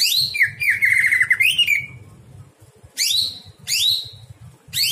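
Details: Greater green leafbird song at night, played for training other birds: bright downslurred whistles, a rapid trilled phrase around mid pitch, then sharp rising-falling notes after a short pause; low hum underneath.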